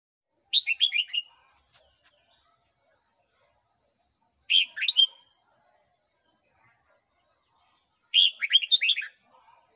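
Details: Red-whiskered bulbul morning song, played each morning to train a young captive bird: three bright, quick phrases of descending whistled notes, spaced about four seconds apart, over a steady high hiss.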